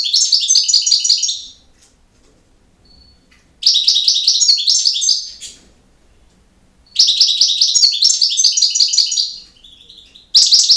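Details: European goldfinch in campero song: four bursts of fast, tinkling, high-pitched twittering, each lasting one to two seconds, evenly spaced with quiet pauses and a faint thin note in between.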